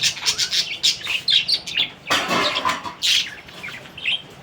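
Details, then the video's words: Budgerigar chattering in a rapid run of short, bright chirps and warbled notes, several per second, with a brief louder burst of harsher notes midway. "BADRI PAKHI || BIRD NEW SOUND"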